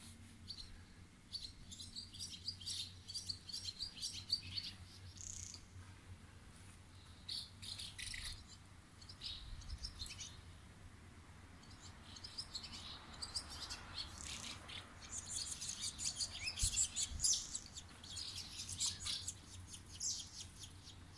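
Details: Swallows at a roadside station in Kazuno, Akita, Japan, twitter in quick, high, scratchy chirps over a steady low rumble.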